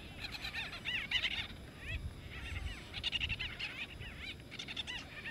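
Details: White-fronted bee-eaters squabbling over nest sites in Kruger National Park, South Africa: bursts of rapid arched chirping from several birds, pausing briefly between flurries, with low rumbling noise underneath.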